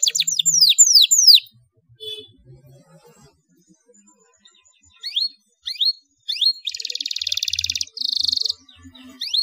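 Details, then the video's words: Canary song used as a lure to train young canaries, in chirping, rolling, high-shooting style: a fast burst of descending sweeps, then a pause, a few short rising notes, and a dense buzzy trill with a second bright trill. "SUARA CUIT CUIT KENARI NGEROLL NEMBAK UNTUK PANCINGAN KENARI MUDA BAHAN PAUD"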